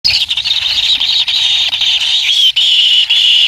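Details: Kingfisher chick being fed by its parent, giving a continuous, high, buzzy begging note that wavers slightly in pitch and runs unbroken for several seconds, with brief dips in loudness.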